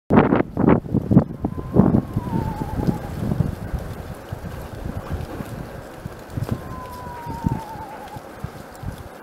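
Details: An Eastern screech-owl (Megascops asio) in Gardner, Massachusetts, on 9 March 2015 gives two quavering, descending whinnies a few seconds apart, after loud handling thumps at the start, with steady wind noise throughout.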